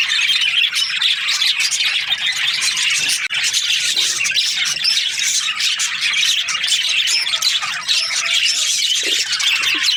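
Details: Many Australian budgerigars chattering in breeding season: steady overlapping squawks and high twitters, with a brief dip in volume partway before the chorus resumes.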